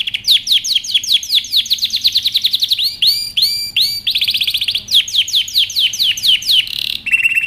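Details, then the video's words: Canary in powerful full song, used as training song: fast high trills of repeated rising notes, switching every second or so to new rolling tours and ending with a rapid buzzy series, with no other sounds. "canary singing over power canary most powerful song for best training"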